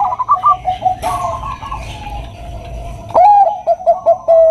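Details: Zebra dove of the Bangkok perkutut type, a female calling a male: soft tonal cooing notes, then a brighter series of short clipped coos repeated quickly near the end, with a faint hum beneath.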